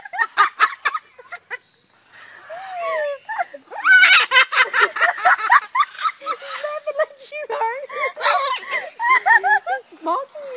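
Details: Zoo cockatoo laughing to entertain visitors: bursts of humanlike cackles and giggly chattering notes, rising and falling, interleaved with a person's talk and laughter.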